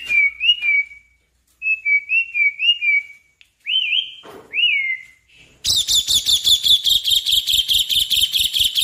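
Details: Asian pied starling giving a long rolling song meant to prompt others to sing: paired whistled notes and two longer upslurs, then a fast harsh rattling series of repeated chattering notes to the end.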